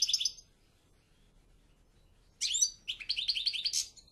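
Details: Goldfinch singing twittering phrases of quick, high tinkling notes. After a brief opening burst and a pause of about two seconds, a longer bright, jingling run follows. The background is quiet.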